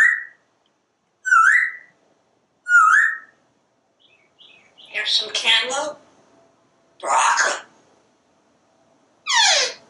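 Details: Caged parrot on a screened back porch talking as it watches squirrels and birds: three repeated squeaky upward-bending chirps, then three loud speech-like phrases, the last a falling whistled sweep.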